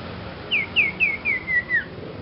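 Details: Young Sirpu singing a strange song: six clear whistled notes, each sliding downward, evenly spaced about a quarter second apart and slowly dropping in pitch.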